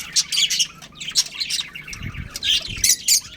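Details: Budgerigars of a breeding pair twittering in high scratchy chirps and quick warbles, with a brief low rustle or thud midway.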